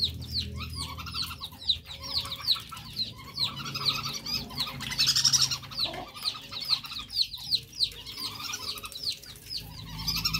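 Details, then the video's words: Male whistling duck, recorded for luring: continuous rapid high whistles with down-slurred and hooked notes, many overlapping, with brief louder bursts, steady chatter across the whole stretch. "pikat belibis jantan"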